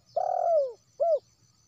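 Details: Wild spotted dove (terkukur) call used as a lure for trapping doves: a long low coo falling in pitch, followed by a short rounded coo, clean quiet background.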